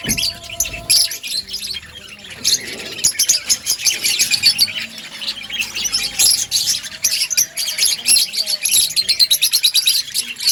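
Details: Budgerigars in an outdoor breeding colony, a dense chorus of many birds giving high, scratchy chirps and warbling chatter, overlapping continuously with short bursts and brief quieter gaps, plus faint tonal hums lower down.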